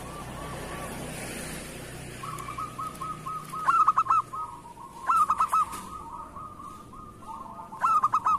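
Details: Local zebra dove, a vigorous singer kept as a lure bird: three bursts of quick, loud cooing notes about two seconds apart, each four clipped hoots, over a steady faint stream of softer repeated notes.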